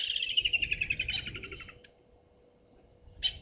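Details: From a tree across a waterhole dam in Djuma Game Reserve, South Africa, a young martial eagle calls in the afternoon of 2 May 2023: a fast, beaded series of high whistles sliding downward, followed after a pause by one short sharp note.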